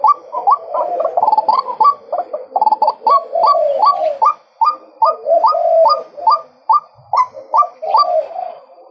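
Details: A male white-breasted waterhen delivers a rapid, somewhat uneven string of rising, hooked croaking notes, several per second, crowded together at first and then spacing out slightly toward the end.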